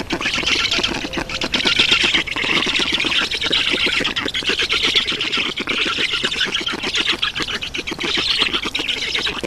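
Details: Black storks at their nest in Estonia on 7 June 2019 around 11:03, as an adult brings water; dense harsh rasping, hissing pulses about four per second run continuously, with a broad wheezy hiss.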